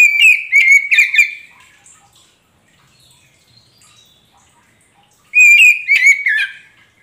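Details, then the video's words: Kacer poci Oriental magpie-robin singing, used as a lure to get a silent magpie-robin to sing back: two bursts of rapid whistled and twittering notes, about three or four per burst, separated by several seconds of near silence. "Pancingan untuk Kacer poci macet bunyi pasti nyaut"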